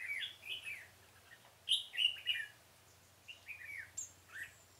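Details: Decoy red-whiskered bulbul singing during bird trapping in a pomelo garden on 25 October 2017; short warbled, slurred whistles in quick groups, a louder cluster mid-way, with a faint low hum underneath.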